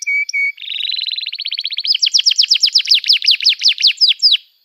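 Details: Canary song as teaching lure for young canaries and therapy for silent birds: two level whistled notes, a tight high trill, then a loud run of sharp, falling, ringing notes repeated about three times a second.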